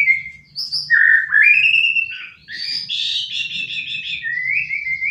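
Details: White-rumped shama kept as a pet, free on a sofa and refusing its hanging cage, gives loud rich whistled phrases that slide and warble, with trilled high notes in between, over a soft low indoor hum.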